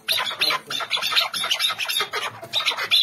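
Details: Chukar partridge calls in a mixed group: loud, grating clucks in quick bursts, several per second, harsh and broadband, with short gaps between clusters.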